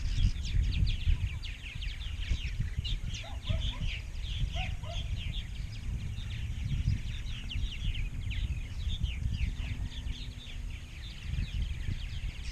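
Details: A large purple martin colony of some 920-930 pairs in Rainsville, Alabama. Dense chattering chorus of many birds, quick downslurred chirps running nonstop, with a deep rumbling wind noise underneath.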